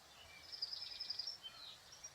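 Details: Slate-colored dark-eyed junco feeding on seeds, giving a quick run of high, thin ticking notes for about a second, followed by a single fainter note, against a quiet background.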